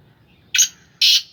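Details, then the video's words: Kept black francolin of the Sindhi Gangas strain calling: two harsh, broadband, grating notes about half a second apart, the second longer and steadier, over a quiet background. "Kala teetar ki awaz / black francolin voice کالا تیتر کی آواز"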